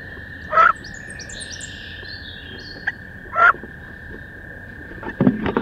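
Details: Inside a nest box on 16 May, two female wood ducks are locked in a fierce fight. Two loud, rising squeals come about three seconds apart over a constant hum. Soft high twittering from outside and a final burst of scraping follow.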